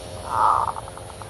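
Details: A single kerot-style zebra dove phrase, used for luring birds: one swelling low coo that trails off into a short series of fast, evenly spaced clipped notes.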